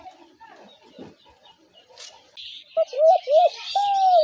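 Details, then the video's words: Spotted dove call used for trapping doves: low murmuring noise at first, then a quick run of short hooked coos ending in one long level coo, with high twittering birds behind. "ঘুঘু পাখির ডাক/Dove bird calls"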